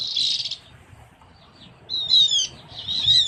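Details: Javan grey-throated white-eye, forest bird of Java, lure audio: a short buzzy high note, a pause, then two bursts of shrill, wavering chirps.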